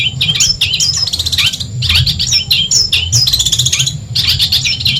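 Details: Madura long-tailed shrike giving training song for other songbirds, said to anger rival birds: varied short phrases of clear downslurred whistles mixed with rapid rattling chatter, phrases starting roughly once a second, over faint low hum.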